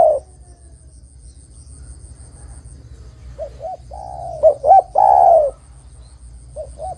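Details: Spotted dove song played to lure other derkuku into a trap: a faint trailing coo, a long pause, then short hooked notes and one loud drawn-out falling coo, with a high steady whine.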